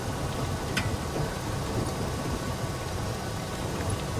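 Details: Low, rumbling engine-like noise over a steady broadband hiss, with a single brief click and no clear animal voice.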